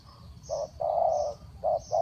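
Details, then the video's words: Quick low coos of a spotted dove used for trapping, short and long notes alternating, while thin high chirps sound faintly in the background. "Chim cu gáy gù tốc độ"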